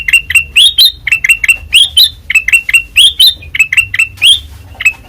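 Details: ['White-eyed kutilang emas, or ruby-throated bulbul, singing in the open ngeplong style: continuous bright, piercing whistled notes in quick pairs and triplets, many sliding upward, with hardly any pause.']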